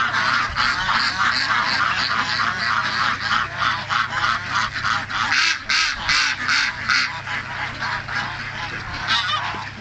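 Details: Heritage breed ducks in a farm flock raised for breed preservation: harsh, nasal calls burst out about three times a second in a rough, pulsing chorus of many birds, over a low droning hum.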